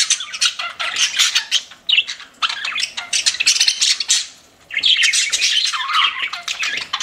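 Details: Pet budgerigar flock chirping: bursts of harsh squawks and high twittering notes run together, break off in one short quiet gap, then resume as busy warbling.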